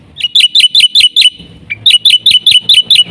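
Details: Black-winged myna singing energetically as a lure for training mynas: two bursts of loud, clipped, rising whistled notes, each about five or six in a row, split by a brief gap.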